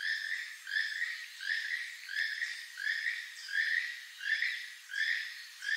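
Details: Keel-billed toucan giving its song, dry, far-carrying, frog-like croaking notes, each a rasping burst repeated steadily about every 0.7 seconds.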